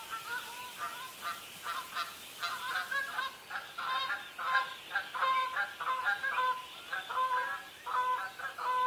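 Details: Pied avocets guarding chicks and disputing territory: loud, ringing piping calls with bright overtones, given in quick bursts of one to three notes at a fast, uneven pace. Other birds call steadily in the background.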